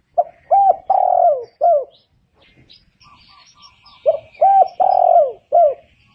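A spotted dove gives two low, mellow cooing phrases, each a short coo and a long drawn-out croo and a final coo. Faint high chirps from other birds sound between phrases.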